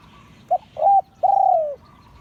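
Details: Spotted dove crowing in the Liu Tan style, from an auspicious line: a short clipped coo, a slightly longer coo, then a long drawn note that slides gently downward, mellow and low.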